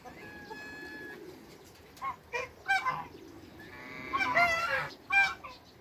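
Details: African and Toulouse geese on a farm, meeting new geese: loud, harsh, nasal honks arrive in short bursts, a cluster of several around the middle and a louder, longer run near the end, over a low background murmur.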